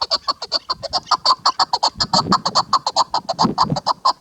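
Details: Female chukar partridge calling: a rapid series of short harsh clucking notes, about five per second, steady and unbroken throughout.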